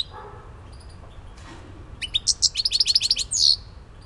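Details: European goldfinch, Elbasan, Albania: after a quiet start with faint background sounds, a lively run of bright, rapidly repeated high chirps builds up and ends in a brief buzzy note.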